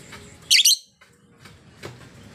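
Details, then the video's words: Lone female lovebird in full voice: a doubled, harsh, shrill high chirp lasting under half a second, followed by quiet background with a faint softer note. "Burung LOVEBIRD Betina sangat gacor bunyi nya ||Merdu kali suaranya"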